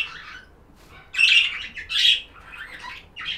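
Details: Budgie chirps come in short raspy bursts, loud harsh chatters about every second, separated by quieter scratchy twittering.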